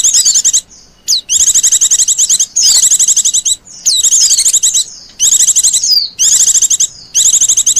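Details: Wild Oriental white-eye lure call: dense bursts of rapid high twittering chirps with sweeping whistled notes, loud phrases about half a second to a second long separated by short pauses, no other sounds.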